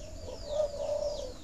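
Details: Coo of a spotted dove, played to prompt breeding doves to lay: a single low, level, hollow note held for roughly a second, softly rising and fading, with quiet background noise.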